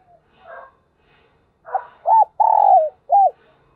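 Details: Morning cooing of a decoy spotted dove calling in wild doves. After soft chirps from other birds comes one phrase: a short arched coo, a long steady coo that falls at its end, then a short arched coo.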